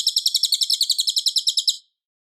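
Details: Cililin singing loud and clear, used as a master recording for training white-rumped shamas: a fast, even trill of about seventeen high, sharp chirps that ends abruptly after nearly two seconds, followed by silence. No other sounds.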